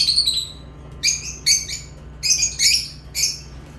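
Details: Lovebirds chirping loudly in rapid shrill bursts, each a cluster of sharp high squeaks, repeated irregularly about every half second to second.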